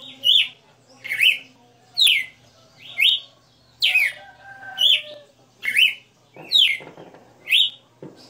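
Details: Caged red-cowled cardinal in steady song: around ten whistled phrases, each a rapid downslur with an upward hook, evenly spaced, with a soft low hum and a brief rustle near the end.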